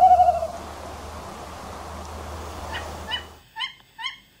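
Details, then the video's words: Tawny owl giving a brief, low hollow hoot, then three or four sharp, shrill calls about half a second apart over a soft hiss; one of three different tawny owl calls. "Tawny Owl Call. Three different calls"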